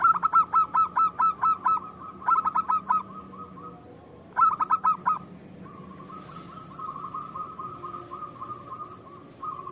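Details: Local zebra dove singing briskly as a lure call: two loud runs of fast, evenly spaced cooing notes, a short burst, then a long low rolling trill that carries on steadily.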